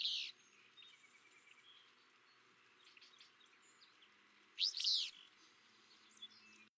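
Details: Willow flycatcher song recorded in summer at Kankakee Sands, Newton County, Indiana, where the species breeds: a short, high, sneezy burst at the start and another near five seconds, separated by quiet with faint distant bird notes.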